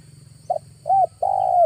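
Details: Spotted dove lure call recorded in August, one short note then two drawn-out mellow coos, the last long and slightly falling; steady low hum and faint high whine in the background.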